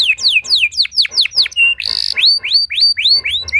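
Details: Canary song meant to set other canaries singing: repeated loud downward-sliding whistles about four per second, a buzzy burst, then a run of rising whistled notes.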